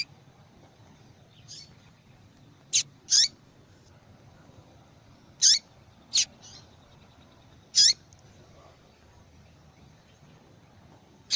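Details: A female yellow-bellied seedeater calls to rouse a male into singing. She repeats high sharp chirps roughly every two to three seconds, sometimes doubled, with a few softer notes between.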